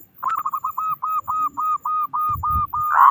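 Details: Loud local zebra dove, a song meant to spur other doves into singing: a rapid train of about a dozen short, clipped cooing notes at steady pitch, ending in a longer drawn-out coo.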